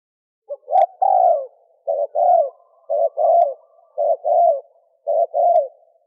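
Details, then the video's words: Spotted dove, male, calling to lure females with a rhythmic series of low hollow coos, each phrase a short note and a longer falling one, repeated about once per second; nothing else audible. "Tiếng chim cu gáy trống kich mái kích bổi nhanh nổi"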